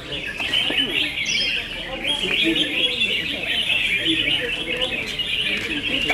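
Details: Red-whiskered bulbuls in a singing contest: a dense, unbroken stream of bright chirps and warbled phrases from several overlapping birds, with faint human voices low in the background.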